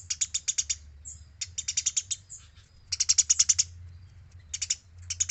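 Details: Eurasian tree sparrow, a vigorous singer recorded as training audio for other birds: clear, high, sharp chirps fired in rapid bursts of five to eight notes, separated by short pauses, over a faint low hum.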